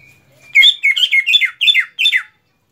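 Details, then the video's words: Greater green leafbird song used to train other leafbirds: a quick run of six rich, chattering phrases, each slurring downward, high and bright, with nothing else heard. "memaster cucak ijo"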